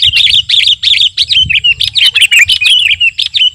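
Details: Sooty-headed bulbul song used as a master song for training or luring birds: a dense, continuous run of quick chirpy notes, repeated about three times a second, with short slurred whistles and a steady high hiss.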